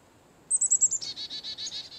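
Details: Carolina chickadee (Poecile carolinensis) chick-a-dee call: a quick run of very high, thin, slightly falling notes, then a rapid string of harsh, buzzy 'dee' notes, about seven per second. The 'dee' notes serve a mobbing function, rallying flock members against a perched predator.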